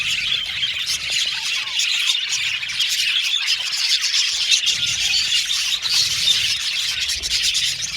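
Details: Aviary colony of budgerigars giving continuous overlapping chirps, warbles and short squeaky calls, a constant high chattering wash from many birds with occasional louder squeals standing out.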